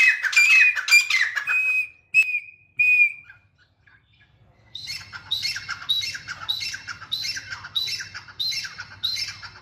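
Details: Grey francolin calling: a few loud, shrill whistled notes with harsh overtones, a short pause, then a fast run of rasping, squawky notes repeated roughly twice a second, with a low hum underneath.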